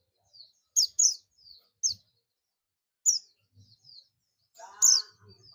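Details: Calling Oriental white-eye, buxtomi type, summoning companions: short, sharp, high chirps given singly and in pairs with brief gaps, ending in a louder note over a lower, rough, layered sound.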